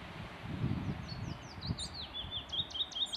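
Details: Male common chaffinch in Redmires Woods, Peak District, UK, sings a fast descending series of high chipping notes that speeds into a rattling run and ends in a flourish, over low rumbling wind and woodland noise.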